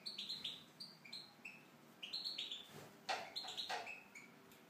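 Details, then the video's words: Tunisian goldfinch singing in an aviary: quick runs of bright, high twittering notes, some sliding downward, broken by sharp clicking knocks around the cage. "chardonneret tunisien (volière)"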